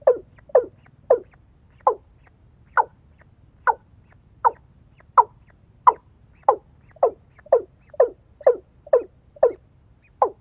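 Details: Decoy female watercock used in bird luring, calling a long steady series of about twenty short, clipped clucks at a brisk, fairly even pace, with only faint low hum behind.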